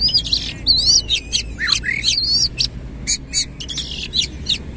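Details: Oriental magpie-robin singing energetically in the 'nembak ngerol' style with its tail spread wide: dense run of rapid warbled whistles, wavering high notes and harsh chattering bursts, almost without pause.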